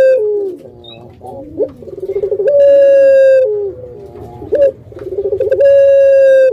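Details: Pet Barbary dove, pelung type: trilled, pulsing coos rising into long steady held notes, twice, with a sharp clipped note between and faint squeaks above.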